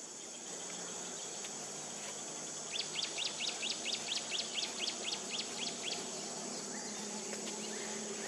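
A White-breasted woodswallow gives a quick run of about fourteen sharp, high notes, roughly four a second, over a steady insect hiss.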